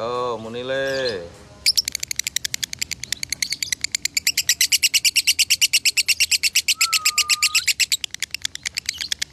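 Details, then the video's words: Lovebird song in konslet style, recorded in Salatiga, Indonesia, as a tutor for training birds, with an 8400-point contest score: a man speaks briefly, then a long, fast, continuous trill of piercing high chirps follows, with a brief low whistle midway. "Masteran Lovebird Konslet ASLI"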